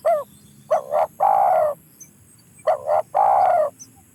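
A spotted dove gives soft, low coos in two-part phrases, a short note then a longer falling one, repeated about every two and a half seconds.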